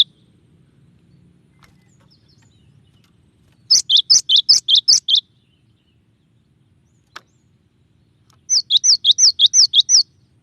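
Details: Cinereous tit giving varied song: two phrases of eight to nine quick, sharp, down-slurred whistled notes, about five seconds apart, with one brief click between and a soft low hum.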